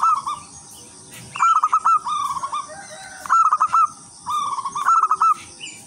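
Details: Zebra dove of local wild stock singing a melodious lure song for other zebra doves: groups of three or four bright, rolling coo notes, separated by short pauses, over a steady high-pitched hiss.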